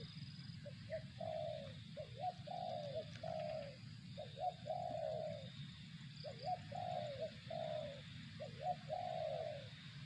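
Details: Spotted dove cooing: soft hollow phrases of two or three notes, the last drawn out and falling slightly, repeated several times over ten seconds against a steady low rumble of background noise.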